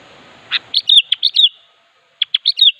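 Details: Sooty-headed bulbul in full vigorous song, calling a rival: two bursts of bubbly, liquid whistled notes in quick clusters, separated by a short pause, with faint background hiss at the start.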